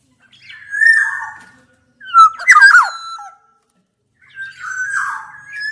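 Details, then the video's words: Challenging song of black-naped orioles, mixed Javan and Sumbawa males and females: a sustained nasal whistle, a loud raspy squawk with fluty slurs, then a softer warbled whistled phrase after a pause. "kepodang gacor MENANTANG LAWAN"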